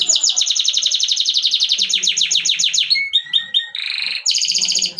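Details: A canary sings a long, even trill of rapidly repeated descending notes, then breaks into short whistles and a buzzy rattle before launching into another bright rapid trill.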